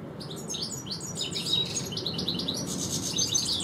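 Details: European goldfinch singing in a garden, one of two goldfinches, a dense run of high twittering, liquid notes and short buzzy trills without a break.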